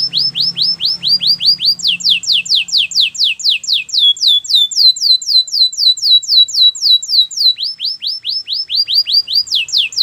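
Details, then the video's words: Belgian canary training song of loud, fast repeated downward-swept whistles, about four per second, in long runs that change pitch between phrases. "Your canary is silent ? turn it around so it will sing a long | Belgian canary"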